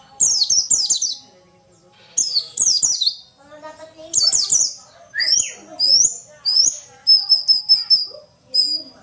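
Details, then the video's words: Female white-eye song used to provoke males into singing: quick bursts of high, thin twittering, with falling notes, rapid trills and sharp whistled accents, broken by short pauses. "pancingan pleci malas bunyi"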